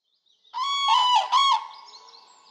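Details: Common crane in Poland giving a loud trumpeting call, three rolling bugled notes in quick succession, rich with ringing overtones, then fading into a softer distant answer.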